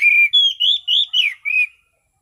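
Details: Orange-sided thrush singing clear, relaxed ngeplong: six loud whistled notes, each rising or arching and evenly spaced, forming one smooth phrase under two seconds.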